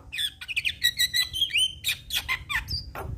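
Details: Javan myna singing to provoke other mynas. Busy chattering, clicky notes and whistled slurs run into a long whistle, followed by harsh downward notes and a short high tone.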